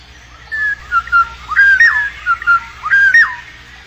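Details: Black-naped oriole during the chick-raising period, giving clear fluty whistled notes that slide down and then bend up, in short phrases about every half second, with a faint low hum beneath.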